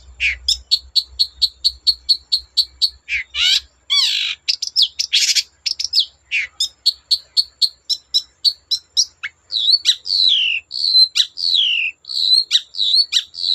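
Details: Long-tailed shrike singing continuously to provoke other shrikes to sing: rapid runs of repeated high notes, then harsh buzzy bursts and twisting whistled phrases, loud and dense throughout.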